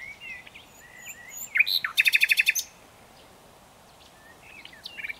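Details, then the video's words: Common nightingale singing, a short burst of about eight rapid, evenly spaced clicking notes with some scattered whistled phrases before and after, faint background rustle. "Canlı Bülbül Sesi HD / Common Nightingale"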